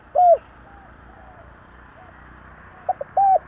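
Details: Spotted dove from a 2021 lure recording: a single soft, slightly falling coo at the start, a quiet gap, then two clipped notes and another smooth, slurred coo at the end.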